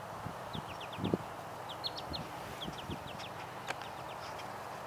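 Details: American goldfinch singing in spring, April 18, 2014, in Coquitlam, B.C.: quick, thin, high notes that slide downward, given in short runs of three to five, over steady wind noise and low rumbling thumps.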